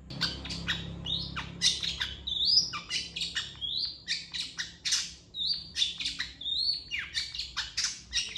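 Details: Long-tailed shrike master song for training other birds, a lively varied medley of sharp chips, buzzy bursts and short rising whistles, poured out almost without pause.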